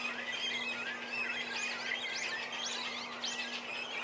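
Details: Begging cormorant young being fed by their parents; thin squeals at first, then sharp arched squeals about every half second, with a constant low hum underneath.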